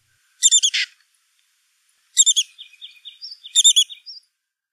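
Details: Female Black-capped Chickadee giving the breeding-season broken dee call, made from nest-cavity completion through early incubation and often prompting feeding by the male: three high, rapid stuttering bursts trailing into thin buzzy, whistled fragments.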